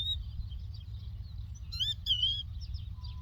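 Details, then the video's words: Outdoor lark song from Doukkala. Faint high twitters lead into a loud pair of stacked, wavering whistled notes, then softer trills, with a persistent low hum underneath. "The Lark Tweets صوت الطبيعة: تغريد القبرة"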